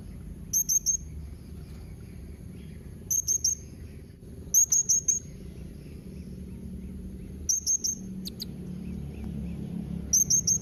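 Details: Repeated clusters of three or four shrill, very high chips from a blue-crowned hanging parrot, a call to make other parrots answer, coming every two to three seconds over a quiet low background.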